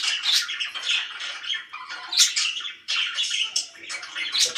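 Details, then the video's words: Bright, harsh budgie chatter from happy pet birds: squawky bursts with sharp high chirps, pausing briefly near the middle before resuming. "VERY HAPPY BIRDS"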